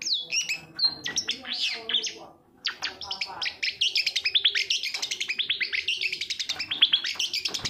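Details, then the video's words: Long-tailed shrike singing, used as a lure for a silent or lazy shrike; varied whistles and harsh notes, a brief gap, then a long fast chattering run of clicking notes. "suara panncingan cendet agar bunyi dan gacor"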